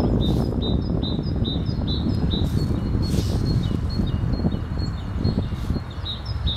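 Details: Singing great tit with a wood pigeon in the background. It gives a bright, high two-note phrase repeated again and again at a brisk, even pace, with a few short broad rustling bursts and strong low background rumble.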